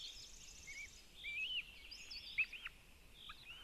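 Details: At a nest in Zemgale, Latvia, two Northern goshawk chicks are fed by their mother. Scattered thin whistled squeals rise and fall, with a few short sliding notes near the end.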